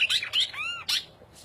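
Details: Cardinal singing while perched on a person's shoulder: quick bright chirps, then a clear arched whistle that rises and falls, followed by one more sharp chirp in a quiet room.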